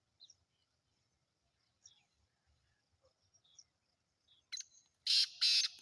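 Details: A black francolin, the Sindhi kala teetar offered for sale, closes with a harsh call: two short scratchy notes followed by two long, loud rasping bursts, after scattered faint chirps.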